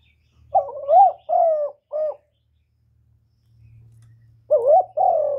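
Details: Decoy spotted dove calling wild doves to the trapping spot: a run of three soft hooted coos, a pause of about two seconds, then another phrase starting with a rising hoot and long low coo.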